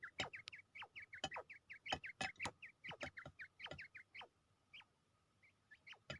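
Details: Quail in Pakistan, ready for a fight and fighting: quick, short chirps near the same pitch repeated several times a second, mixed with sharp broadband clicks and knocks, then a quieter stretch with scattered single notes.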